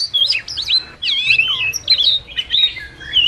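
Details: Short burst of a wagtail calling the flock, used as a trap lure: bright bouncing whistles and twitters in quick phrases separated by tiny breaks.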